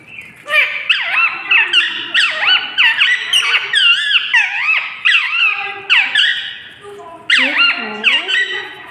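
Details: Talking parrot giving a dense run of harmonic, sliding whistled and squeaky phrases, rising and falling in pitch, nearly continuous for several seconds with brief pauses, indoors.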